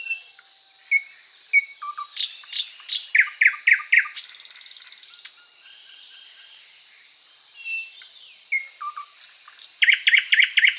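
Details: Thrush Nightingale song: varied phrases of loud clicks and sharp broadband strokes, a dry rattling burst near four seconds, soft whistled notes, then a run of rapid repeated chock notes; a steady high insect-like hiss persists behind.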